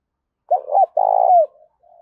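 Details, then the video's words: One spotted dove phrase used to lure and train decoy birds: two short rounded notes, a long throaty coo falling at the end, then a soft trailing coo, with nothing else audible. "Tiếng chim cu gáy kích bổi và tập mồi hiệu quả nhất, cu gay kich boi nhanh noi gù"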